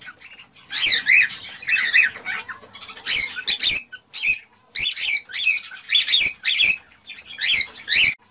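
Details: Cockatiels in a breeding-stimulation recording give repeated sharp, squeaky chirps in quick pairs and triplets, loud and evenly spaced through the passage.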